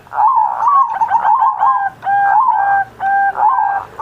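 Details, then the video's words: Zebra dove performing lively song on Indonesian Independence Day, kept as model for teaching pet doves to sing: a run of pulsed, bubbling coos near one pitch, broken into short phrases with brief pauses. "Perkutut Masteran Manggung Gacor Mancing Burung Lain"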